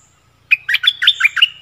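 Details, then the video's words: Stripe-throated bulbul song on 1 April 2021, wild birds answering a caged one while staying off the ground, probably with a nest of young. A fast, tumbling phrase of about seven liquid notes over a faint, thin high whistle. "เสียงต่อนกดอกแตงEp.40 Burung merbah lekir gacor"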